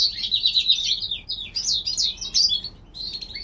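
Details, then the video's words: In spring, a European goldfinch hybrid from California gives two bursts of slurred, slightly buzzy twittering phrases. The high notes swoop up and down between short breaths. "European gold finch Hybrid/ The Spring time."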